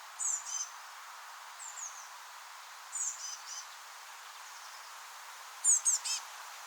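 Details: Eurasian blue tit chicks that have just left their nest in a rowan tree, chirping while being fed: thin, very high, downslurred notes in short pairs and triplets, repeated every second or so, with quieter calls between.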